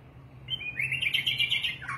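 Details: White-rumped shama, called magpie or murai batu ekor panjang, singing a fluid run of clear whistled notes that warble up and down in mid-high pitch for about a second and a half, over a steady low hum.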